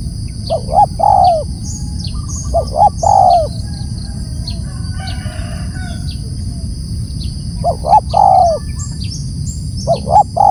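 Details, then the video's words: Loud calling of a spotted dove, three phrases heard: a pair of quick clipped coos, then a drawn-out wavering coo that drops away, with long pauses between, against a constant thin high whine and low rumble. "Suara lantang memanggil BL"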